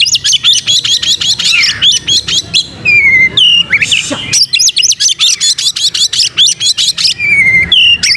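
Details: Lively white-rumped shama with its tail fanned, pouring out rapid trains of sharp repeated chips, interspersed with pure falling whistles and a short harsh burst.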